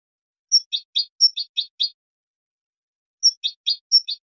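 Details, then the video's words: European goldfinch giving basic song phrases with complaint notes and ornaments: a high thin whistle followed by quick buzzy chirps, two bursts of about five notes separated by a pause, in a quiet setting. "CANTOS BASICOS DEL JILGUERO ** QUEJAS Y ADORNOS"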